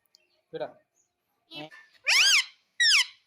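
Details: Indian ringneck parakeet that talks, saying mummy and papa; after a person's brief words, two loud, bright, arched squawking phrases follow in quick succession.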